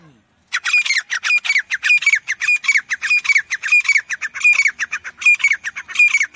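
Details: Grey francolin giving a long, rapid, harsh call series: loud, squawky, grating notes repeated without pause for about six seconds after a short quiet start.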